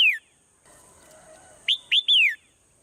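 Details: Swallow singing in the morning: a clipped falling whistle opens, then a clear three-note phrase of two short rising-falling whistles and a longer descending slur, over a steady faint high hiss.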